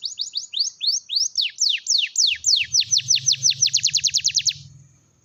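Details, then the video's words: Canary singing to encourage quiet canaries to start: short rising-falling chirps lengthen into bold drooping whistles, then a rapid high trill, with a steady low hum joining halfway and the song fading at the end. "kenari gacor || pancingan kenari macet bunyi"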